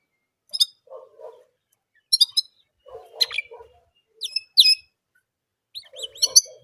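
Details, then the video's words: Orange German canary singing: scattered bursts of sharp high chirps and upward-slurred whistled notes, mixed with softer mid-pitched chattering calls between them. "Orange German Canary Singing Only One Sound Of Singing"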